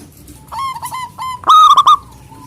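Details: Zebra dove of local stock calling out rivals: a soft string of level whistled coos leads into one loud, stuttering, rolling burst, then a faint trailing note.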